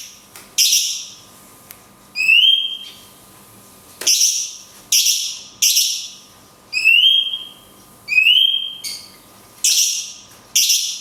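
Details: Cungkok 'tembakan kunti panjang' song for tutoring songbirds. Bursts of loud, downward-sweeping whistles alternate with lower rising whistled notes in a steady, repeated pattern about every second.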